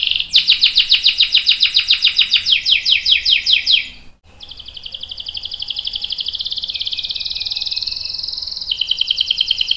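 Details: Canary lure song to make other canaries answer: a loud pulsed rattling roll of about four seconds, a brief gap, then a long smooth high trill ending in a lower buzzy trill.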